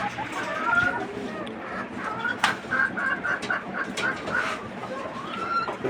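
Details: Desi chickens on a Bangladeshi farm raising twenty-nine free-range laying hens; soft overlapping clucks and short calls from many birds against steady barnyard noise.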